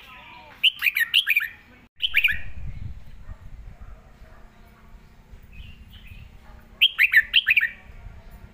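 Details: A red-whiskered bulbul sings bright, clear, bubbling double-note phrases of quick rising and falling whistles.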